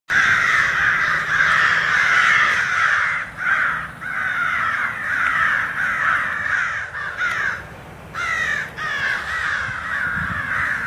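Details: A large flock of crows recorded on 26 January 2012, many birds cawing at once in a dense, overlapping chorus of harsh, hoarse calls, broken by short pauses before the noisy clamour resumes.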